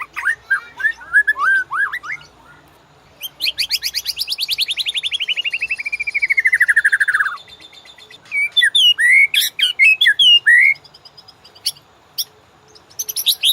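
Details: White-rumped shama master song used to train caged birds and prompt them to sing: varied loud phrases, a long buzzy descending trill sliding down over four seconds, then sharp whistled and chirping notes.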